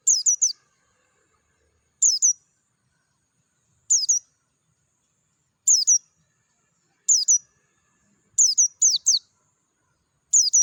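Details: Dakun Oriental white-eye in ngalas style with a clear voice amid nature: a long run of high, thin double and triple chirps, each descending, repeated about every two seconds, briefly quickening near the end.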